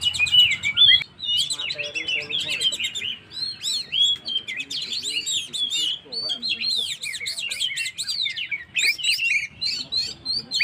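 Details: Energetic Oriental magpie-robin song, played to provoke stressed birds: dense bursts of buzzy, looping whistles and rapid chatter, broken by brief pauses, fairly loud and continuous.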